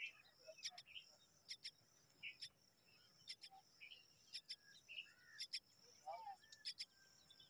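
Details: Several hungry common myna chicks waiting for their mother make grating paired bursts about once a second, with faint chirps and a short twittering phrase near the end.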